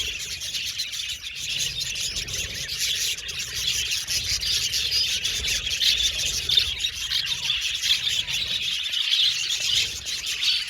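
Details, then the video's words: Budgies chirping continuously, a dense flock chatter of high, overlapping tweets and short whistles with no pauses, forming a steady bright wash of sound throughout. "Budgies Chirping Sound"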